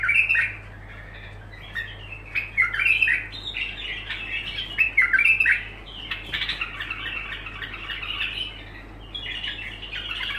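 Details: Bulbul singing in continuous, unbroken phrases: squawky, warbling notes with brief whistled accents, bursts of chattering separated by short pauses, over a steady low hum.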